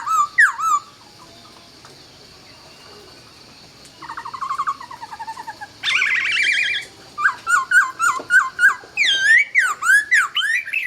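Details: Laughingthrush singing at dawn: clear slurred whistles, a pause, a harsher buzzy burst, then a fast run of rising-and-falling whistled notes.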